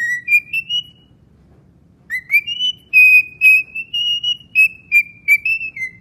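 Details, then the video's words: Pet cockatiel singing a whistled tune: a short run of rising notes, a pause of about a second, then a longer string of clear, slightly wavering whistles that step up and down in pitch. "Singatiel 3"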